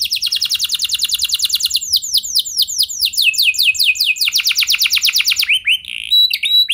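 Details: Canary in full, long song, kept as a training recording to prompt other canaries to sing: rapid trains of bright, high syllables in distinct phrases, first fast descending sweeps, then slower downward slurs, then a quick trill ending in rising notes.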